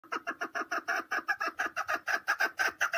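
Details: Caged chukar partridge (keklik) in Tajikistan, 2020, giving a rapid run of harsh, clucking chuk notes, about two per second, steady and unbroken through the whole stretch, indoors with no other sounds.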